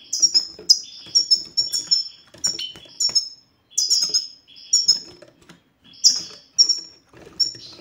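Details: Male goldfinch song played to make silent goldfinches sing: fast tinkling twitters and high descending notes in dense bursts, broken by a couple of short pauses, with soft rustling and clicks.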